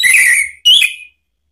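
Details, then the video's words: Short excerpt of Orange-headed thrush song used to provoke another bird in Indonesia: two quick whistled phrases, the second rising and warbling, then silence. "isian TAJAM !!! bikin ANIS MERAH EMOSI NYAUT NGEPLONG ¦ PANCINGAN AM"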